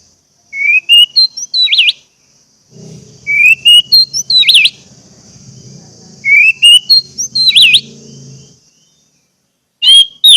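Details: Orange-headed thrush pancingan song to get silent birds singing: repeated phrases of a short rising whistle followed by a sharp twisting note, every two seconds or so, over a low droning hum in the middle.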